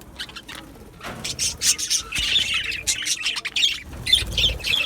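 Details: Aviary colony of Australian budgerigars: broken bursts of high chirps and squawks that swell and fade, with brief quieter gaps and a few low thumps like wing flapping.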